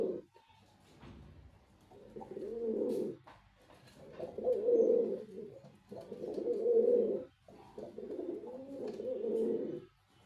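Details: A male white pigeon gives deep, throaty rolling coos in bursts of about two seconds, each swelling and fading, in a small indoor space.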